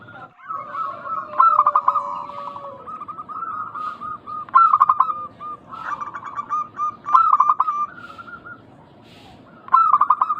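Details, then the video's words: Local zebra dove calling as a lure to make other doves answer; bursts of rapid, rolling cooing notes recur every two to three seconds, with a steady low hum underneath. "Pancingan burung perkutut lokal gacor suara mengundang bunyi langsung nyaut."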